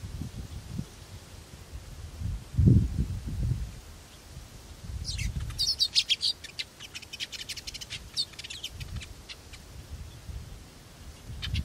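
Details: Feeding Sudan golden sparrows give quick, high chirps and twitters in a busy chatter through the second half, over low wind rumble and a few dull thumps.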